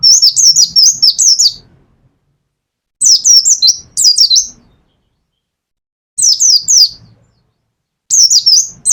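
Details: Mountain white-eye kept in a cage, from Pacitan, singing short bursts of fast, high, slurred twittering notes, about five phrases of one to two seconds each with brief pauses between them; soft low knocks in the background.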